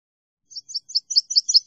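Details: Northern waterthrush song opening: a series of bright, high two-note chips repeated about every fifth of a second, growing slightly louder, on an otherwise silent background.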